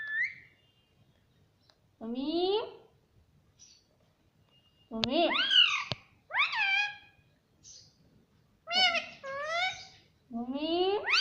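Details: A talking parrot calls "mummy" repeatedly, each word a rising, ringing harmonic sweep, with two sharp clicks between utterances and otherwise quiet surroundings.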